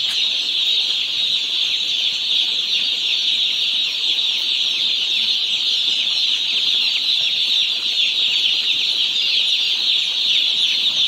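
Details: A crowd of day-old farm chicks keeps up an unbroken, high, shrill chirping chorus, even in loudness throughout.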